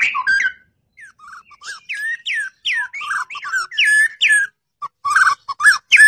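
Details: White-rumped shama, or murai batu, trained for contest singing, repeating short whistled phrases that dip and rise, each one a bright upslur ending in a lower note, spaced about every half second.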